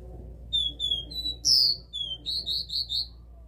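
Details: Capped seedeater, caged, in the classic three-note 'dó' song: steady high whistles leading to a loud rising note, then five quick, evenly spaced buzzy notes in rapid succession, with a low hum beneath.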